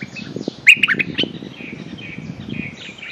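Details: Streak-eared bulbul luring call to a mate: a quick loud run of squeaky, slurred chirps early on, then fainter distant chirping over soft low rustle.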